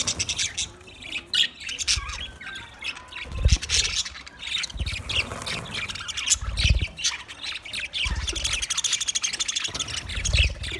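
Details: A flock of budgerigars, twenty pairs, keeps up steady buzzy chatter and squawky chirps, with recurring low thuds and rustling underneath.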